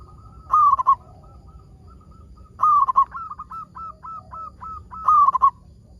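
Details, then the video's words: Three loud, rolling coo phrases from a local zebra dove, with gentle, hooked short coos between them. The song is used to spur other zebra doves to sing. "PERKUTUT LOKAL GACOR SUARA PALING AMPUH UNTUK PANCINGAN BURUNG PERKUTUT AGAR BUNYI"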